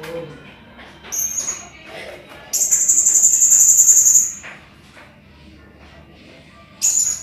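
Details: Blue-crowned hanging parrot used to tutor competition cage birds: a short high squeak, then a loud, sustained, very high buzzy trill lasting nearly two seconds, and a final shrill note.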